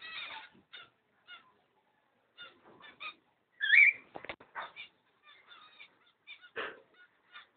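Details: Pair of cockatiels: short, scratchy chattering calls in brief bursts with gaps between, then one louder, rising whistled screech in the middle and a harsh squawk near the end.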